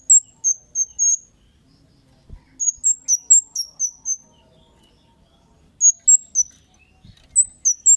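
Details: Kemade giving vigorous 'cit' calls, used as a lure to make other birds answer: sharp, very high chips in quick bursts of three to five, with pauses between groups and a couple of faint low knocks.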